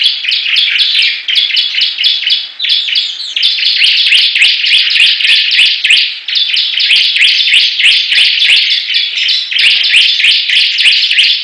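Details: Bar-winged prinias in a singing contest: a dense, continuous stream of sharp, high chirps, about three notes a second, overlapping and layered, with brief dips in loudness and clicking ticks above.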